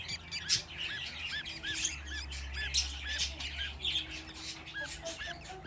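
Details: Fifteen budgerigar chicks gathered in one place: a steady series of short arched chirps about twice a second over a dense wash of high scratchy chatter, with a low hum underneath.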